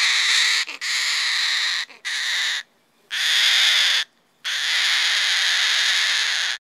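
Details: Cockatoo, one of the crested parrots, giving loud, harsh, raspy screeches in long drawn-out bursts separated by short silences, each scream broad and grating with no clear tune.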